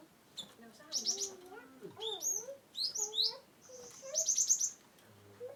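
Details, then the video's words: Cinereous tit from Wonosobo singing, used to stimulate birds that will not sing: fairly soft phrases of high descending notes and a fast chip series, with low wavering whistles underneath. "GelatikBatu(Cimberet/Glatikwingko) Pas untuk Burung yang tidak mau bunyi"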